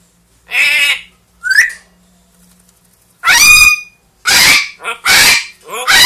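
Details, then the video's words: Two captive pet parrots, a two-year-old grey parrot and a one-year-old Amazon, talking, singing and imitating sounds indoors; short harsh harmonic bursts, a rising whistled note, then loud raspy screeches in quick succession. "quelques mot et bruitage des perroquets"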